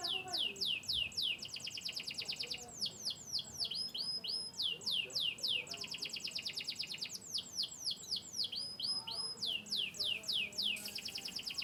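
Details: Canary of Yorkshire lineage, Turkish and US descent, delivering a long varied song: quick falling chirps alternating with dense buzzy trills and brief whistled phrases, repeated in cycles.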